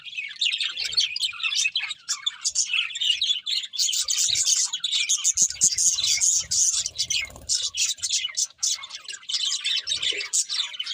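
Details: A group of happy pet budgerigars warbles and chirps while eating, a continuous busy chatter of rapid high notes with occasional soft clicks and taps.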